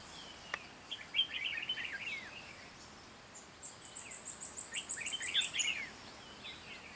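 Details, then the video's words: Red-whiskered bulbul trapping bird of the 'gáy ngựa' singing style at a fight trap: two bursts of rich, fast chattering warbles, separated by a pause, with a high thin rapid twittering series and soft background hiss. "Bẫy chào mào Mào đá lân gáy ngựa HB"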